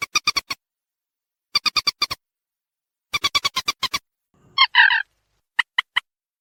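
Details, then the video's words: Lure recording of a waterhen: repeated bursts of five to eight fast, clipped pulses, followed by a rough doubled rasp and three spaced ticks. "suara pikat burung mandar sawah"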